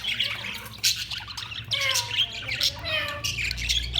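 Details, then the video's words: Budgerigars in continuous chirping chatter: dense, buzzy warbles mixed with rapid squeaky notes and short sliding whistles, with almost no pauses. "Budgies Chirping sound"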